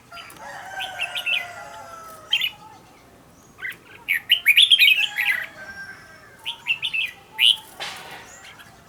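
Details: Red-whiskered bulbul, a captive decoy bird in training, delivers scattered quick whistled phrases, the loudest a rapid warbling run mid-clip and a sharp burst near the end, over a low background drone.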